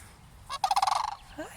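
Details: Cranes near a church, approached on foot by a person, give one rolling, rattled call lasting about half a second: rapid buzzy pulses with a bright harmonic edge, followed by quiet.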